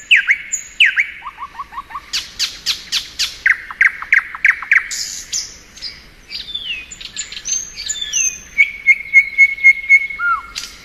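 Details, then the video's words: A singing thrush nightingale in spring gives varied phrases: low quick notes, buzzy bursts, swooping whistles, then a rapid string of identical pure notes and a final low whistle. "Nightingale Song.(Luscinia)."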